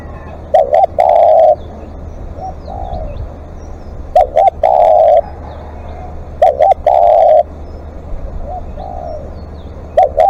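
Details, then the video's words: Live decoy spotted dove in long calling: four loud phrases of a double coo and a drawn-out low coo, with fainter answering coos between them and occasional clicks. "เสียงนกเขาใหญ่ ต่อสดเรียกยาวๆ"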